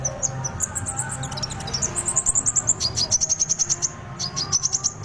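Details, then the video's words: Fighter-style song of an olive-backed sunbird, rapid runs of piercing high notes in quick rhythmic bursts that speed into dense trills, with a faint low tone running underneath. "KONIN FIGHTER"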